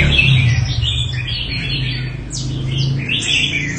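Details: Red-whiskered bulbul from the Đại Quang area of Quảng Nam, Vietnam, kept by an artisan keeper: run of chattering warbled notes with a sharp downward sweep near the end, partly masked by a loud constant low droning hum.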